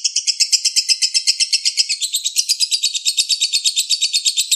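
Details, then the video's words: Lovebird (Balibu) training-song recording for other songbirds: a long, unbroken, high chattering trill of rapid buzzy pulses, about seven per second, steady throughout, described as tight, long, continuous bursts. "MASTERAN LOVE BIRD BALIBU"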